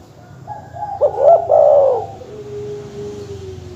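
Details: Dove master call played to provoke rivals: a single stuttering, rolling mid-pitched coo phrase, followed by a soft steady tone fading out.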